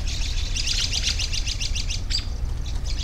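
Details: A quick series of about a dozen short, high chirps in a regular run, followed by a sharp upward note, against low background noise.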